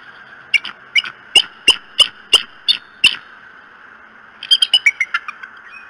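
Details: Bald eagle calling at its nest in Decorah on a morning in late March, 21 March 2018: sharp, high piping notes repeated about every third of a second, a pause, then a faster chattering burst of thinner notes; faint background hum.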